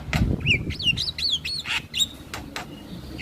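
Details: Male Javan myna giving a quick chain of loud, looping whistles that rise and fall, mixed with sharp clicks, with some low rumbling noise underneath.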